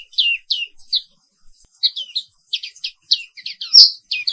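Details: Black-capped white-eye in morning song, quick rolling phrases of high slurred chirps and twittering notes, growing denser toward the end, on a quiet clean background.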